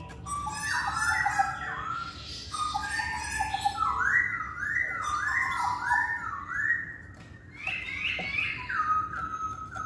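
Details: Masked laughingthrush song used as a lure so that males which seldom sing will answer: loud, rich whistled phrases that rise and fall, delivered in quick runs of repeated slurred notes, over a steady low hum.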